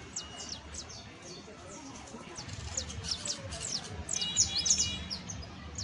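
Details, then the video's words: Saffron finch song aimed at training a canary: scattered high chirps that grow louder and denser toward the end, with a brief buzzy trill, over background rumble. "EL CANTO DE ESTA AVE VA A SERVIR PARA AYUDAR A TU CANARIO BASTO CRIOLLO [Sicalis Flaveola]"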